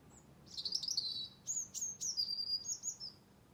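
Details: November song from birds in a tree beside a garden at Blackrock, Dublin: rapid high-pitched chirps and short whistled slides strung into a busy three-second twitter, with faint ambient noise behind.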